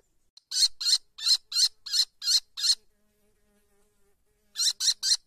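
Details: Downy white kestrel chicks a few weeks old, still unable to fly, in a high nest watched by their parents, give harsh, shrill, hissy calls in a quick series of about seven, fall silent, then four more follow.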